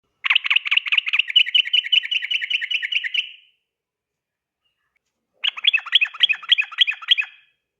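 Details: Yellow-vented bulbul, locally trucukan, singing its rapid ropel style at night, recorded as a tutor for training birds: two bursts of fast, bright, chattering notes, the first about three seconds long, separated by a silent pause.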